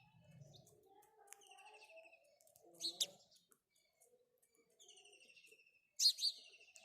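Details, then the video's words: Sparse house sparrow calls: a few short, buzzy, slightly falling chirps separated by quiet gaps, with faint low murmurs beneath. "house sparrow birds call | Call of a House Sparrow"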